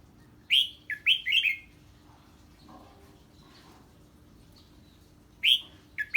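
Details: Red-whiskered bulbul singing 'ché' song in response to a strange bird's call: a burst of four rapid whistled, downward-bending notes, a quiet pause of several seconds, then a similar short burst again.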